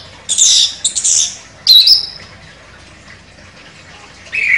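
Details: Chestnut-capped thrush (anis kembang), a contest champion, giving sharp buzzy high notes and a rising whistle within a short burst, then a pause before another phrase begins.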